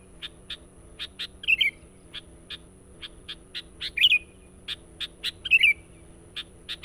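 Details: Sooty-headed bulbul singing persistently as a bird-luring sound. Regular short high notes tick along, with three bubbling warbled phrases spread through the passage.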